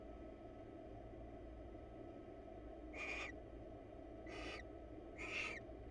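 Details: Wild barn owl pair preening each other's feathers in a monitored nest box: after three quiet seconds, three rasping, hissed bursts of about half a second each, over a steady low electrical hum.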